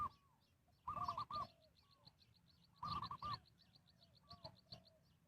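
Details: Spotted dove used to lure wild birds while trapping: two short bursts of rapid coos about two seconds apart. A steady, fast high chirping and soft scattered notes fill the gaps.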